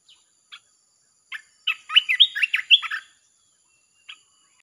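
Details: Red-whiskered bulbul, its song used as a lure for wild birds: scattered single chirps, then a dense phrase of rapid, rolling whistled notes lasting about a second and a half, followed by one more lone chirp.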